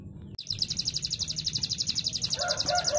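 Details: Canary song played to prompt canaries to sing: a steady, very fast, high pulsed trill with evenly repeated notes, joined near the end by lower, softer chirps.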